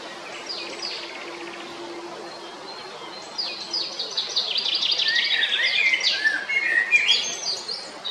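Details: Male Eurasian blackbird at Jarun in Zagreb, Croatia, 22 April 2021. Quiet background for three seconds, then a building run of rapid high twitters and whistled notes that grows louder toward the end.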